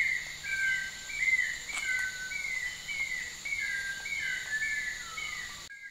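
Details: Black-throated wren-babbler at Danum Valley, Sabah, Borneo, Malaysia, 2023, gives a run of short, clear whistled notes, some slurring downward, about one and a half per second, over a steady high insect drone.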